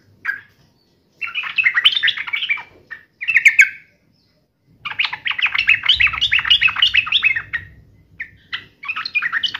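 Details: Sooty-headed bulbul in fighting mode, giving repeated bursts of excited chattering song separated by short pauses, notes tumbling rapidly up and down.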